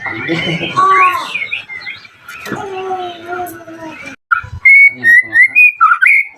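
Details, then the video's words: Lure song of a white-rumped shama to make other shamas respond: a jumble of scratchy, warbled notes and a falling whistle, then, after a pause, a bright series of short whistled notes. "PANCINGAN AMPUH MURAI BATU AGAR CEPAT BUNYI"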